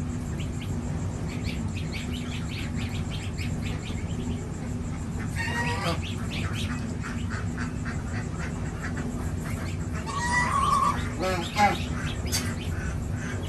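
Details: Six-day-old domestic goslings on a village farm in India give thin, high peeps in quick, scattered runs, with a few louder, harsh, honking squawks; a steady low mechanical hum runs underneath.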